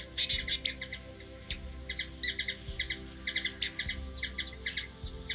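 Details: Hummingbird in the USA capital, Washington DC, uttering clustered sharp chips in bursts of two to four, with low rumbling and soft knocks underneath.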